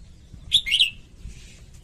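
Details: Female red-whiskered bulbul singing to excite males, a single quick warbled phrase of bright rising and falling notes, followed by a faint airy rustle.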